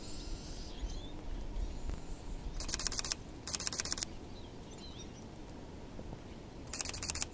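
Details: Crested tit in Espoo, Finland, 6 February 2019, giving three short, high, dry purring trills, each about half a second long, over a steady low background rumble.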